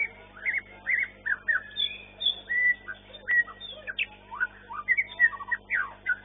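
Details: White-rumped shama of the long-tailed class, contest winner, sings loud varied phrases: clear whistles, slurred rising and falling notes and sharp chips delivered in quick bursts, one after another.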